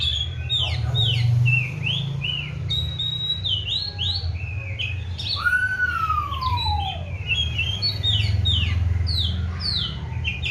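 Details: Active song of a caged Oriental magpie-robin, a bird kept on crickets and daily baths: rapid high chirps and trills, then one long clear whistle sliding down, more chatter after, all over a constant low hum.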